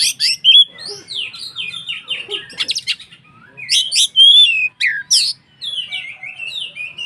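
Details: Song of a White-rumped shama (kacer), played to stir other shamas to sing: rich cascades of falling whistles, harsh rattling bursts and bright high notes, delivered in lively phrases with short gaps.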